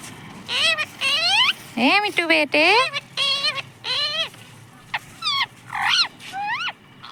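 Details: Pet parrot said to say mummy papa, uttering a busy run of loud harmonic calls, some sweeping upward and others wavering, in uneven bursts about every half second, with faint human voices.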